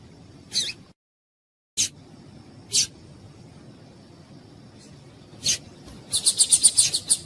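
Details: Female seedeater (papa-capim) calls meant to stimulate males: scattered single high chips, then a fast run of about eight repeated notes at the end.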